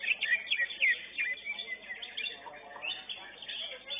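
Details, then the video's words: A competition-winning greater green leafbird, first place in its class at a bird-singing contest, pours out a rapid, varied song of sharp chirps, whistled slurs and twittering phrases, with other caged birds and crowd chatter behind. "CUCAK HIJAU"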